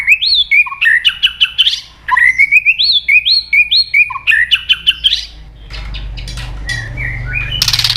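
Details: Luring song of a white-rumped shama for birds gone quiet: a whistled phrase with a low note and rising trill, repeated three times, then softer scattered whistles over a low rumbling background.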